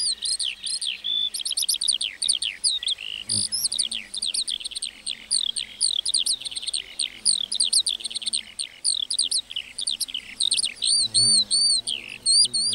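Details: Meadow lark song pours out unbroken, with fast strings of short rising and falling whistled notes mixed with brief buzzy trills throughout.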